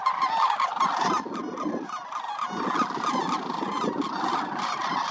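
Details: Wintering sandhill cranes at Willcox Playa Wildlife Area, where more than 20,000 roost in shallow water, produce a loud mix of rolling trumpeting calls, with low rustling and thumping sounds beneath.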